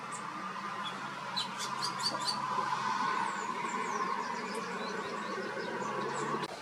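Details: Carib grackle at Malmok, Aruba, in November 2023, giving sharp, high chips and thin down-slurred whistles in quick, uneven bursts over a steady broad hiss of background noise.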